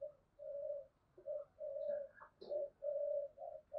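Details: Spotted dove cooing in thúc gù style, a lure for wild doves: a steady series of drawn-out, even hooting notes repeated about every half second over a faint background hiss.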